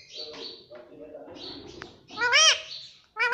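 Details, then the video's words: Indian ringneck parakeet kept as a pet, talking and said to repeat "mummy": soft, voice-like syllables followed by two loud, ringing, arched calls near the end. "Indian Parrot Talking Mummy"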